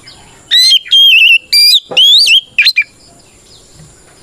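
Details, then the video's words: Singing white-rumped shama calling out rivals, used to goad silent or group-trained shamas into replying: several long pure whistles with wavering, trilled endings, then two short sharp notes and a pause. "Suara Burung kacer gacor NGEPLONG tarung ini paling ampuh buat PANCINGAN KACER agar EMOSI Nyaut"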